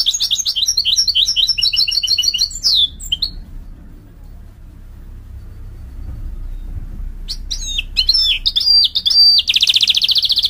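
A mule goldfinch sings fast, high twittering trills, pauses, then resumes with sharp notes and a buzzy roll.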